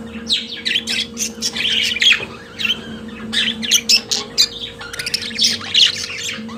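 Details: Pet budgerigar singing, with a fast, busy warble of chattering, squeaky and scratchy notes in short bursts, some bright whistled chirps, continuing nearly nonstop for about six seconds over a steady low electrical hum.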